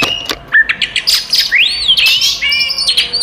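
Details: Oriental magpie-robin fighting song meant to provoke other magpie-robins: opening clipped chips, then a long clear rising whistle and a few sustained steady whistled notes.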